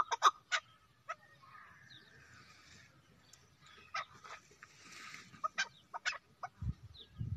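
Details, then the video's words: A domestic chukar partridge (chakor) gives sharp, clucking notes in uneven bursts, with a soft background hum and a couple of low thumps near the end. "chakor ki khobsurat awaz /چکور کی خوبصورت آواز"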